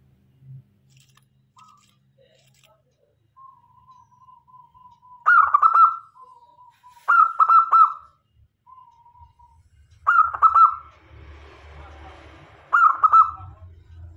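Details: Local zebra dove, a lively singer kept as a decoy to attract males and females, repeats four loud rolling cooed phrases about every two and a half seconds, with soft level coos between them and a low rumble in the background.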